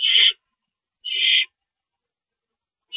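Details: Harsh, breathy screeches from an owl during a rodent delivery on 28 March 2012 at 9:01 PM, short bursts about a second apart in otherwise quiet surroundings.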